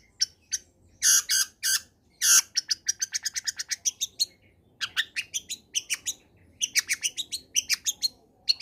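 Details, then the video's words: Long-tailed shrike combination song, a lure to set silent shrikes singing: loud broadband rasping notes open the phrase, then rapid high ticking and downslurred whistled notes follow in dense series with short breaks. "Suara Asli Cendet Gacor Kombinasi.. Solusi Pancingan tepat buat cendet malas bunyi agar ikut bunyi"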